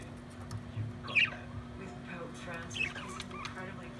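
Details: Pet budgerigar, described as naughty, calling for attention: two short, sharp chirps sweeping quickly through a high pitch, a second apart, with softer warbling notes between and a steady low hum underneath.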